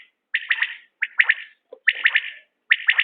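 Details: Common quail calling, from quail-hunting footage: quick bursts of three sharp, liquid pulses, repeated in close succession, with one low short note between phrases.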